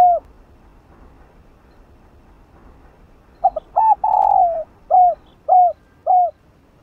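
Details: Chiêu 3 hậu cooing of a spotted dove decoy, played to urge a newly caught caged dove to coo: near-silence for three seconds, then quick stuttered notes, a long vibrating coo and three spaced downslurred coos.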